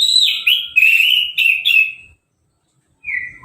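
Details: Orange-headed thrush, freshly moulted and hose-bathed, singing without a cover: a loud fluid warbled phrase of sliding whistles lasting two seconds, a pause, then a short descending whistle.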